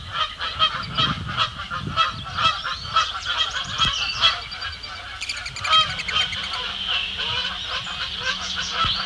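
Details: Canada geese at Bubbler Island, Sapsucker Woods Pond, Ithaca, New York, on 12 May 2017, one neck-tagged and squabbling with others, honk in a busy overlapping chorus, harsh nasal calls about twice a second over a low rumble.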